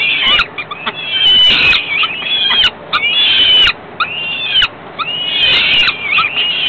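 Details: Falcon chicks fed by their mother a few hours after ringing. They give shrill, strained wailing calls with sliding pitch, overlapping in bursts of about a second, with brief gaps and faint rustling between them.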